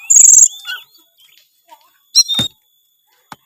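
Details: Oriental magpie-robin in full-isian gacor song: a loud buzzy high burst followed by soft slurred whistles, quiet gaps, then a sharp chattering phrase and a final click.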